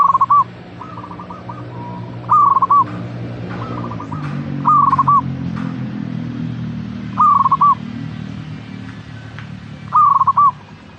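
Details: Five stuttering coo phrases from a singing local zebra dove (perkutut), each a fast trill of mellow notes ending in a held coo. Softer similar phrases and a low background hum are also heard.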